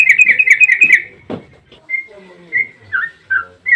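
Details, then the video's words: Yellow-vented bulbul in long rapid 'ropel' song, used as a lure to make other bulbuls sing: a fast burst of bright chirps near one pitch, then scattered single whistled notes and a low rustle. "trucukan gacor ROPEL PANJANG buat pancingan trucukan agar bunyi"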